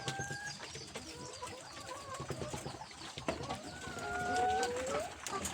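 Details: Layer or Fayoumi hens kept at a house, giving several drawn-out whining calls, some level and some gently rising then falling, overlapping one another amid soft clucks and steady background clatter.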